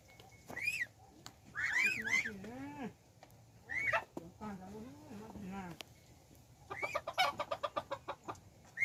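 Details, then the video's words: Hybrid of domestic chicken and wild junglefowl, recorded 10/1/2021: bursts of loud, harsh, rising-and-falling clucking calls with arched squawks, then a rapid run of sharp repeated clucks near the end; faint voices in the background. "ไก่ต่อลูกผสม Qaib Dib Txuam Qaib Qus Tom 3 Zoo Nraug Qua Zoo heev"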